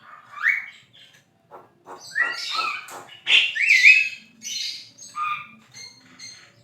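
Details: Javan myna (jalak kebo), singing gacor: a rising whistle, clicking notes, then loud swooping whistles and harsh chatter, with softer chirps trailing off.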